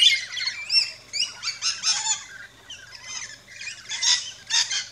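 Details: Several rainbow lorikeets at a feeding station in an Australian backyard, with a busy run of shrill, rasping chirps and squawks rising and falling in quick succession.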